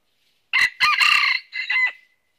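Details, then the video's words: Northern Vietnamese trapping scene with a red-eared red junglefowl decoy giving one full crow: a brief opening note, a loud raspy sustained stretch, then a two-part tail that trails off into quiet. "Bẫy Gà Rừng Miền Bắc Mồi Tai Đỏ Đụng Bổi Gáy Cà Lắm"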